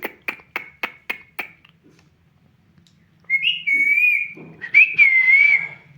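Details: Pet talking parrot indoors: five quick sharp clicking notes, a short pause, then two drawn-out wavering whistles that rise and fall in a small room.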